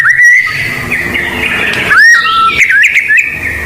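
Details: White-rumped shama of the blorok variety singing persistently, a lure recording for training young birds: loud sustained clear whistles broken by quick upward-slurred and looping notes, with a bright sweeping flourish near the end.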